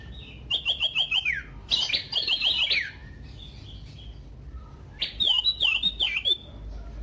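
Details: Common iora lure song, loud and varied, used to provoke other ioras to sing: two fast trills of rising whistled notes, each ending in a downward slur, then a looser run of looping whistles.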